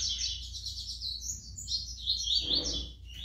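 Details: Brown-plumaged double-collared seedeater giving a continuous, high, thin warbling stream of slurred and buzzy notes over a low background hum, with a brief broadband noise near the end.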